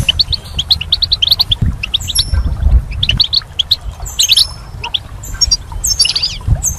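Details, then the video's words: Spring goldfinch song with quick series of rising chirps, then jangling twittered phrases, several birds overlapping, low background rumble. "Goldfinch's Song"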